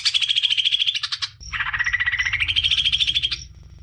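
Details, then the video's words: Greater green leafbird song used to get young birds singing: fast buzzy trills around high pitch for over a second, a brief pause, then a lower rapid trill that rises steadily and ends abruptly, with low hum beneath. "CUCAK IJO BIKIN JUNIOR NGETOP GACOR NGEPLONG"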